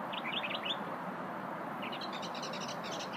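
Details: Little unidentified singing bird, heard on a lunch break, opens with a few quick high chirps, then after a pause a rapid, evenly spaced run of bright twittering notes, against constant background hiss.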